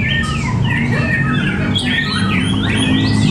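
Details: White-rumped shama in a bird-singing contest at Cibinong: loud looping whistles and quick up-and-down slurred phrases, several notes stacked together, over persistent low-pitched rumble from the venue.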